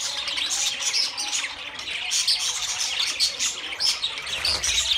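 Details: Several budgerigars chattering together, a dense, continuous stream of high, scratchy chirps and squeaky tweets with short whistled notes scattered through it.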